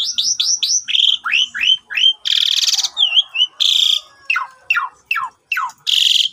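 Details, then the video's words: Javan pied starling morning lure song for birds that will not sing, recorded on a phone: quick series of rising whistles, falling notes, and two loud harsh rasps between downward-swept calls. "PANCINGAN WAJIB TIAP PAGI !! JALAK SUREN BISU LANGSUNG GACOR MOMPA"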